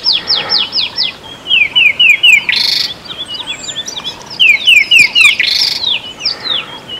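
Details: Rattling Cisticola calling during its breeding season, very active and vocal in declaring and defending territory: quick bright chips run into a harsh, buzzy rattle, repeated about every three seconds, with other calls faintly behind.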